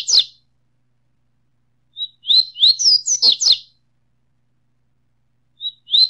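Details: Double-collared seedeater song from a mix of five different songs for stimulating kept birds. Short bursts of sharp, high, twisting chirps and whistles, about a second long, separated by silent pauses of roughly two seconds.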